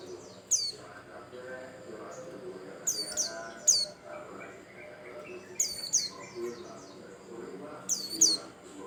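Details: Lure song of a Bustomi white-eye for prompting other birds to sing: sharp, high falling whistles in clusters of two or three, spaced irregularly a few seconds apart, with soft background rumble.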